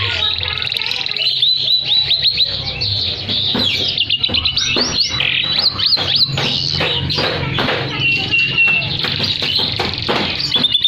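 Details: Canary pouring out long 'gacor atas bawah' song, a tutoring master and stimulus for canaries that stopped singing; rapid chopped trills, rolling notes and high whistles, unbroken for about eleven seconds.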